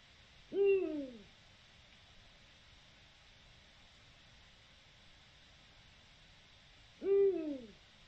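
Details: An Eurasian eagle-owl (Bubo bubo) gives two deep, downward-slurred hoots about six and a half seconds apart, each under a second long, over a faint steady hiss; recorded 7 October 2020, Spain.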